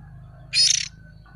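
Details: Juvenile oriental magpie-robin lure call: a single short, buzzy, grating rasp with rapid flutter, over a constant low electrical hum.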